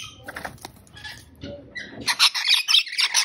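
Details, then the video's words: Rainbow lorikeet (Trichoglossus moluccanus), an Australian parrot: mixed, scratchy background noises give way in the second half to a run of harsh, broadband screeching squawks repeated in rapid bursts. "Rainbow Lorikeet Bird Sound, Bird Song, Bird Call, Bird Calling Chirps"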